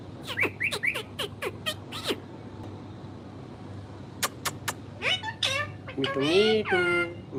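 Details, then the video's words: Parrot talking, with a burst of short voice-like syllables, a pause broken by clicks, then longer warbling, wavering harmonic phrases towards the end, against low background hum. "parrot talking |parrot sound |parrot |parrot voice"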